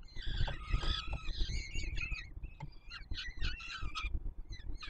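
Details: Peregrine falcon nestlings in Warsaw, Poland, 7 July 2022, during a feeding by the male: quieter, broken rasping calls and brief squeaky notes, partly masked by strong low rumbling noise.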